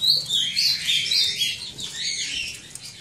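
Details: Cockatiel chicks kept at a breeder, calling in a steady stream of shrill, high, wavering chirps and squeaks that overlap and fade slightly toward the end.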